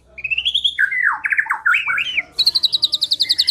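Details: Lure recording of a white-rumped shama singing: a clear rising whistle, a string of swooping slurred phrases, then a quick evenly repeated high trill to the end.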